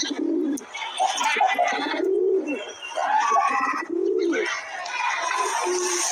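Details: A male white pigeon gives deep, throaty, rolling coos in swelling bursts about every two seconds, with a steady hiss and faint chatter behind.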